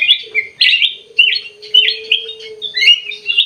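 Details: Ruby-throated bulbul, called kutilang emas, delivering loud clusters of buzzy, chirping notes in short phrases, about one each half second, with a faint steady low tone running underneath.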